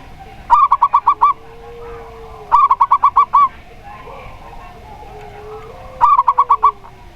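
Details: Zebra dove of the local type with a clear 'plong' voice repeats its song three times: quick rolling runs of about six crisp, bubbly coos every few seconds, with a soft, low, long coo between them.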